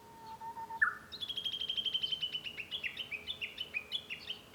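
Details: From a room at home on 5 May 2013, a Japanese bush warbler gives a low whistle, then jumps higher into a long run of rapid, evenly spaced descending notes repeated for over three seconds.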